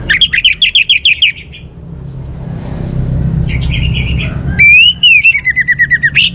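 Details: Orange-headed thrush singing: loud, rich whistled phrases with quick rapid trills and warbling notes, broken by a quiet gap with low rumbling background, then a strong burst of rising and falling whistles.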